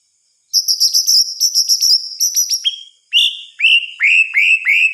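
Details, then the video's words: White-rumped shama singing at night: a run of fast high trilled notes, then a series of clear downslurred whistles repeated about every half second, with no other sounds. "Suara Kicauan "MURAI BATU" di Malam Hari"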